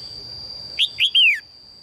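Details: Single phrase from a female red-whiskered bulbul calling for a strong male: two short upswept chirps followed by a longer downward-sliding whistled note, with a steady high-pitched tone behind.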